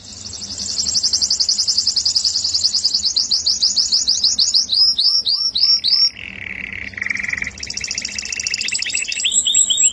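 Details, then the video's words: A canary sings melodiously with a long very fast high trill that breaks into separate curved chirps, then a low rolling trill and quick rising tours. "suara burung kenari merdu"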